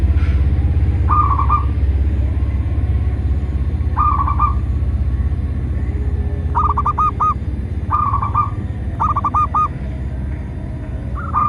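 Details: Local zebra dove song used as a lure to get captive doves singing and to attract wild ones: short bursts of rapid, bubbly whistled coos repeated every one to two seconds over a loud, steady low hum.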